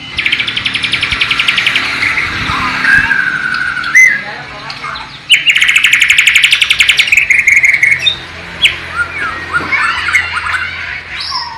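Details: East Kalimantan captive Bornean white-rumped shama, tutored with sikatan londo and nightingale song, filmed on a low-resolution camera: two bursts of rapid, rattling repeated notes, each followed by a falling whistle and varied chattering phrases.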